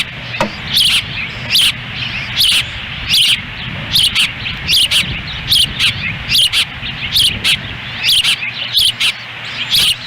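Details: Ospreys at their Lolo, Montana nest on a windy 10 June 2017 during a difficult feeding, the female feeding while the male stands by; high sharp chirps spaced irregularly, roughly every second, over steady wind rumble.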